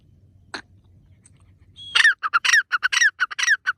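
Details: A francolin (partridge) jumping about and calling in forest gives a quick run of harsh, grating squawks, about four per second, after a single earlier note; nothing else stands out.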